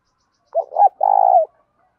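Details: Spotted dove, calling to rouse decoy birds, utters a wavering two-part opening note followed by a long, even, buzzy coo that slips slightly downward at its end, with no other sounds.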